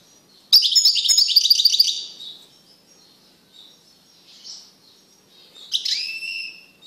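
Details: European goldfinch male in a cage, singing vigorously after separation from the female canary he bred with. A loud fast run of jingling high twitters lasts over a second, then quiet soft notes and a final buzzy phrase.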